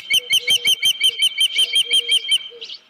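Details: Osprey at the Dunrovin Ranch nest on 31 July 2018 near 9:43 AM, headless fish noted, gives a rapid run of piercing whistled chirps with a softer, lower accompanying tone, ending in one slurred note.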